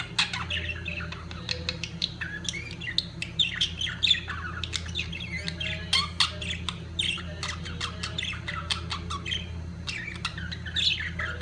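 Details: Budgerigars at the height of mating keep up busy warbling chatter: rapid clicks, squeaky chirps and harsh squawks tumble over each other without pause, over a constant low hum.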